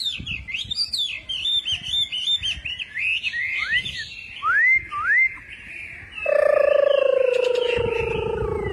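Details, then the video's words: Wambi pouring out a lively song of looping whistled notes, a few rising upswept whistles, then a long steady lower tone that slowly falls in pitch. "Burung wambi gacor - kicauan burung"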